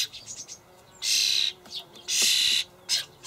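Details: Fledgling common starlings, Sturnus vulgaris, beg from adults bringing dried buffalo worms in a Hamburg allotment garden in late May; two long hissing, rasping screeches and a shorter third, with soft chirps before.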